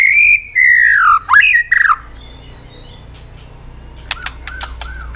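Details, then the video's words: White-rumped shama singing to rouse other birds, with long, clear, slightly falling whistled notes and a quick upward-swooping note, then near silence broken by a few sharp clicks and soft whistles. "kích chòe lửa hót cực sung.chòe lửa hót tạch liên tục kích thích chim ức chế"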